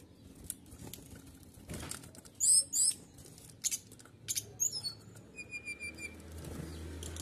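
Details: Canary song used to provoke other birds into singing: scattered bursts of high buzzy trills and sharp chirps, then a short series of rapid repeated high notes, over low background hum.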